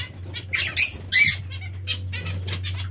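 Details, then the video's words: Pet zebra or Bengalese finches bathing: two loud harsh nasal calls close together, then softer chirps, over light splashing and a constant low hum. "Diamante mandarino o bengalini | L'ora del bagnetto"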